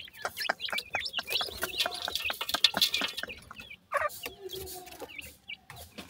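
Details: Grey francolin chicks, known locally as sindhi teetar, giving dense high chirps and short rising peeps in quick overlapping bursts, several birds at once, mixed with sharp clicking and handling noises, a brief pause near the end.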